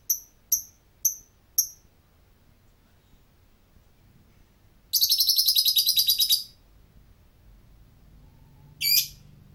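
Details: Lovebird with four quick sharp high chirps, a pause, then about one and a half seconds of rapid pulsed high chatter and a final short harsh burst.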